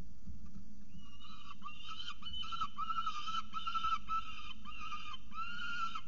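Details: Rowdy pair of peregrine falcons at a camera-watched nest in Orange, New South Wales, November 2022, giving a continuous run of harsh, wailing, harmonic notes, each about half a second, over a constant low mechanical hum.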